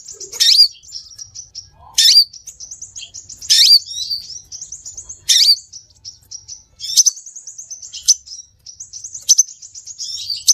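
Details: Lure calls of the scarlet minivet: a loud sharp chip roughly every one and a half seconds, each followed by soft, rapid high twittering notes.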